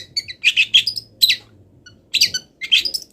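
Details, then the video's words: Cendet (long-tailed shrike), mid-moult, giving a training song filled with imitations of wild birds: clustered raspy chirps and squeaky trills in two bursts separated by a brief pause, with a soft low hum behind. "MASTERAN CENDET FULL ISIAN BURUNG LIAR"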